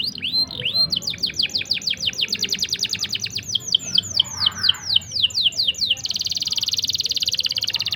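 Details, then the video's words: Canary singing a long rolling song meant to tutor young or reluctant canaries: looping downslurred notes, then a long series of rapid descending sweeps, closing with a dense, fast buzzy trill. "CUIT CUIT NGEROL PANJANG. COCOK UNTUK MASTERAN MAUPUN PANCINGAN BURUNG KENARI MACET ATAUPUN PAUD"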